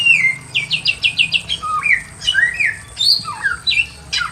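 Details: A Pekin robin in a simple aviary sings in full voice. It opens with a rapid series of about six identical whistled notes, then moves into varied slurred whistles that swoop up and down.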